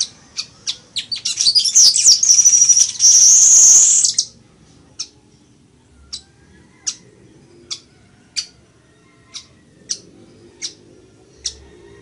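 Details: Weaver, or chichiguago, singing for teaching other birds: quick ticking notes speed into a harsh, buzzy high sizzle lasting about three seconds, followed by single sharp clicks repeated roughly every half second to second.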